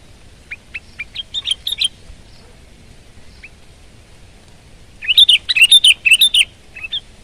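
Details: Sooty-headed bulbul in energetic song: several spaced, clipped chirps build into a quick jumble of warbled whistles, then after a pause a longer, dense burst of bubbly notes.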